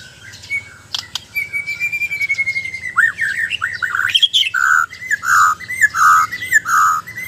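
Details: White-rumped shama, a Borneo (Sabah) bird in mental training, singing a long thin whistle that slides into quick varied notes, then a run of rich, fluty, repeated phrases about every half second; faint low hum beneath.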